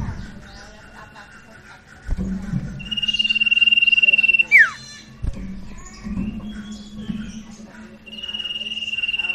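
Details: Sirtu song used as a lure to prompt a silent bird to sing: a loud, steady high trill lasting about two seconds ends in a sharp falling whistle, then a second trill begins, over a low hum and soft background chatter.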